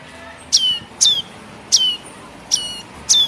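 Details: Young red-headed tailorbird (prenjak kepala merah) begging, a recording used as a lure for bird catching: five short, harsh, high chips sweeping downward with a bright overtone stack, roughly every half-second to second over a faint low hiss.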